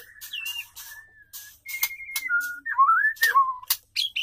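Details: Female white-rumped shama in captivity singing to attract a male: clear separate whistles, some level, some swooping and rising, with short gaps and sharp clicks.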